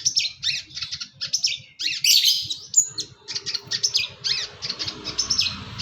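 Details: East Javan long-tailed shrike in energetic gacor song, full isian style: quick bursts of harsh chatter mixed with rising whistled slurs and a brief clear upward whistle, delivered in a continuous, busy stream.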